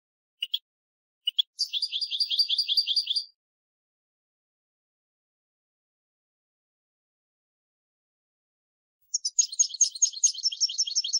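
A European goldfinch sings in two bursts of high, liquid twittering trills, quick tinkling notes run together, separated by several seconds of silence.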